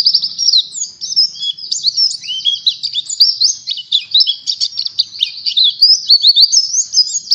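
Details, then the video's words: Tutor song of an oriental white-eye for teaching other birds, long fast chatter of high squeaky whistles and twitters, varied and continuous throughout. "PEMANCING PLECI BAHAN UNTUK BELAJAR NGALAS"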